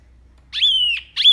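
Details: Wambi singing in the tembakan style, a tutor recording for caged birds: one long, bright, steady whistle, then the start of a second sharp note.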